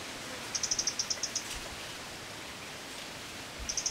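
A White-bellied Redstart gives a quick run of about nine thin, high pips, then three more after a pause, over steady hiss like wind or running water.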